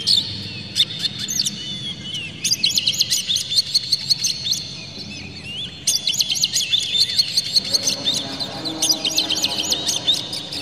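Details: Oriental magpie-robin song as lure material, described as harsh and clear, meant to provoke birds. Continuous rapid chatter of high chirps, buzzy notes and short whistles, with a brief dip in the middle and a steady low hum underneath.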